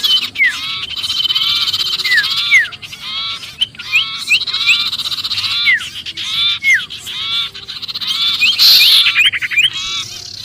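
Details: Agitated sirpu call, as if caught, serving to lure other birds: rapid repeated raspy chatters, each with a falling whistled note, about two or three per second over ten seconds.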